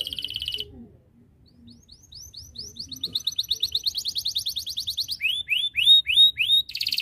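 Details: A canary sings vigorously to draw rivals into song. A brief dense trill is followed by a pause. Then comes a long run of rapid, repeated rising notes that speed up into a ringing roll, ending with slower upswept whistles and another buzzy trill.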